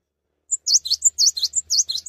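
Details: Short burst of Cinereous tit song, sung persistently without hopping: a single high note followed by quickly repeated, bright, down-up slurred phrases.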